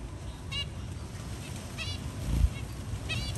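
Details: Zebra finch during a chick's hatching, with the mother slowly helping the baby out of its eggshell; three brief nasal, buzzy calls spaced over about three seconds, set against constant low background hum and a soft thump.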